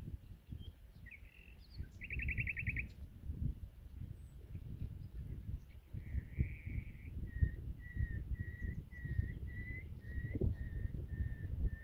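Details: Common nightingale singing in spring in Holland, heard but unseen; a fast rattling trill, then a steady series of about ten clear whistled notes spaced roughly half a second apart, over heavy low wind rumble.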